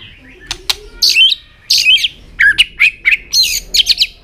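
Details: Tail-flicking white-rumped shama song used to fire up fresh-caught birds: fast mix of sharp clicks, rich fluty whistles and scratchy notes, delivered in quick varied phrases.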